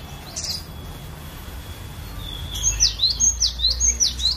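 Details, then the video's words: Captive cinereous tit from a bird collection, its varied song used as a lure to train other birds: after a quiet start with one faint note, about five sharp high downslurred two-note phrases ring out roughly twice a second. "Ocehan Burung Glatik Batu Variasi"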